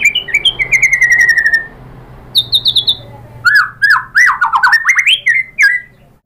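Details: White-rumped shama song meant to provoke rival shamas into singing: a descending run of rapid notes, a short high trill, then loud looping whistled phrases rising and falling.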